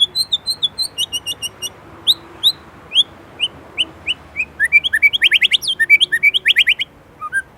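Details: Indonesian white-rumped shama in a bright, varied song: spaced single whistled notes to begin, then quickening into a dense burst of sharp, chirping notes and slurred whistles, ending in a few scattered calls.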